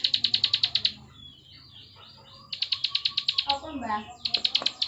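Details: Plain prinia, locally ciblek sawah, in klik song: fast runs of high buzzy notes broken by short gaps of softer sliding sounds and some rustling.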